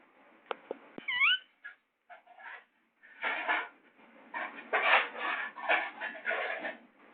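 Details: Baby Indian ringneck parakeet, kept as a pet, gives a clear whistled note that rises and falls. A run of harsh, raspy chattering bursts follows, coming about every half second indoors.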